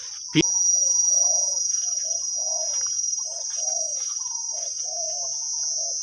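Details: Wild spotted dove with a big, deep voice, heard during decoy trapping. It gives a steady series of low, rounded coos in repeated phrases. A sharp click opens the recording, and a shrill insect drone continues throughout.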